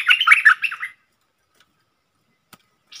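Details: Red-whiskered bulbul, a wild bird coming to call at a caged decoy bird, recorded 5-6-64: one quick burst of chattering, warbled notes under a second long, then near silence with a faint click.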